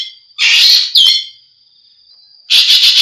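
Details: Green magpie calling: a harsh, grating screech, then a short downward-sliding rasp. A faint, even high whistle is sustained for over a second before a final loud, raspy burst with a rapid stuttering pulse.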